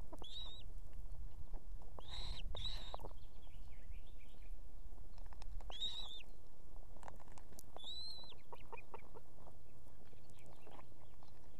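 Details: Estonian osprey nest, female with two chicks calling her mate to come with food: scattered short groups of high, thin whistled notes separated by pauses of about two seconds, with steady low noise.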